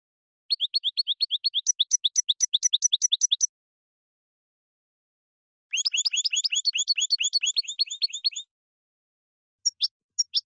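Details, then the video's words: Goldfinch (European) singing batbata, used to set off a caged bird's own song; long, rapid rattling trills of bright notes, two extended bursts about three seconds each, then a few scattered chips, quiet background. "تحميل ساعه كاملة من بتبتة الحسون لتهييج بتبتة الحسون الملكي ستجعله يغرد من دون انقطاع"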